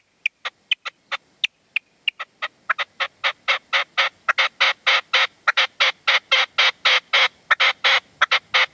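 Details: Partridge calling at sunset in the sierra near Manzanares, 27 February 2014, a decoy (reclamo) working a male that would not come in. Thin, spaced chips speed up into a rapid, dense run of harsh chuck notes.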